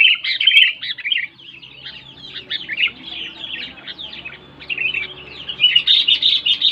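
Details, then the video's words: Loud sooty-headed bulbul song meant to coax quiet bulbuls: a bright chirping phrase at the start, softer scattered notes in the middle, then a strong bubbly burst toward the end. "SUARA BURUNG KUTILANG NYARING"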